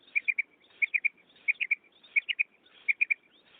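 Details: Female common quail call, played to lure males into trapping nets: a clear, liquid three-note phrase repeated about every two-thirds of a second, with faint background hiss.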